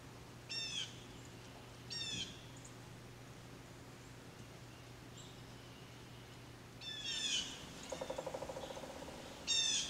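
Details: Blue jay uttering harsh, harmonic calls in spaced bursts, two near the start and two near the end. Between the later calls comes a rapid low pulsing rattle from another source, with a faint steady hum underneath.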